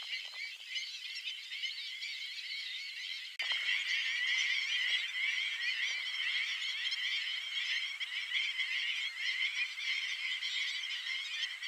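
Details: A large flock of black-winged stilts in flight gives a dense, continuous chorus of sharp, high yapping calls that overlap without pause and grow louder partway through.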